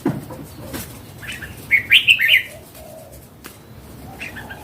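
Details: Wild adult Red-whiskered bulbul delivers one lively phrase of four rolling, chirpy notes, then quiet. Faint twittering from other birds continues behind it.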